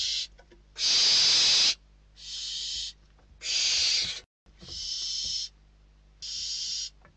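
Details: Barn owl chicks inside a nest box in Spain fighting over a delivered bird, the oldest chick winning; six long, harsh hissing screeches, each under a second, separated by short pauses, the loudest near the start and middle.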